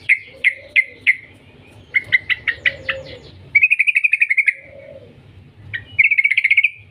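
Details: Yellow-vented bulbul lure call, meant to prompt other bulbuls to sing: bright, bubbly chirps in short bursts of four or five notes, then long, quick rattling trills, all mid-high and lively.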